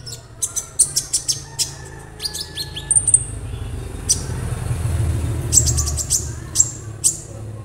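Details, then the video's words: Young Orange-bellied Leafbird already singing in captivity: sharp high chips in quick series, a brief thin whistle, then more clustered chirps over a low background rumble. "KONIN Bahan auto rajin"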